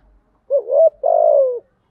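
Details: Spotted dove calling as a lure in thúc gù and gáy gọi styles: one phrase of a rising coo swelling into a held note, then a long throaty, pulsing croo sliding gently lower.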